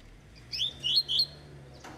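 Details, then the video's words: Double-collared seedeater, eight months old, giving a short tui tui (vibro) phrase of three or four bright, high, slurred notes in quick succession over a faint low hum. "COLEIRO TUI TUI (VIBRO) 8 MESES DE VIDA"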